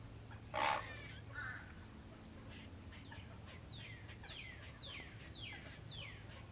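A great blue heron gives one loud, harsh rasping croak and a shorter second one; another bird follows with a run of thin, falling whistles over a low hum.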